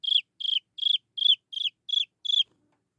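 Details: Seven loud, high-pitched peeps from a Chinese francolin chick calling to draw in its mother, evenly spaced about three per second, each a brief whistle dropping at its tail, then silence.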